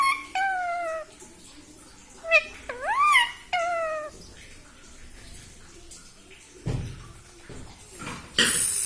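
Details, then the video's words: Pet parrot, said to talk and say mummy papa, gives several voice-like harmonic syllables, one steady, others swooping up and down, then rustling and a loud crackle near the end. "मम्मी-पापा बोलता तोता || मिट्ठू बडा प्यारा || parrot talking mummy papa"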